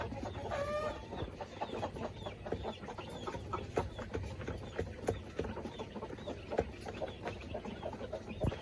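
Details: A flock of village chickens and laying hens in the coop during feeding, with a short rising squawk early on followed by soft, scattered clucks and a low background rumble of movement.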